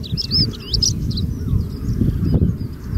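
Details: A common linnet singing and preening in the dunes of Texel, the Netherlands, on 31 March 2018, twitters a quick run of varied, high, slurred notes, loudest in the first second and fading, over heavy low wind rumble.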